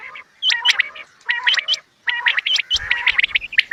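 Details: Quail (bater) calls in a hunting context: clusters of quick chirps with sharp rising notes, in groups about every half second, and a low rumble near the end.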